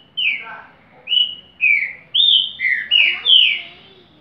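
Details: Rufous-bellied thrush song, repeater style: six loud clear whistled phrases, each a slurred falling or level note, spaced about half a second apart, with faint low background rumble.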